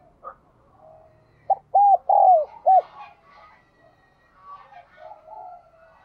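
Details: Spotted dove with a 'đồng chuông' voice, a clear ringing bronze-bell style. One loud phrase of four soft, hollow coos, the third long and falling. Faint murmuring fills the quieter stretches before and after.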